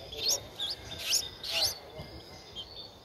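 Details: Streak-eared Bulbul nestlings, nine days old, recorded in Ubon Ratchathani, Thailand, 11 April 2023; a few shrill, squeaky high calls cluster in the first two seconds, then fade to quiet background hiss.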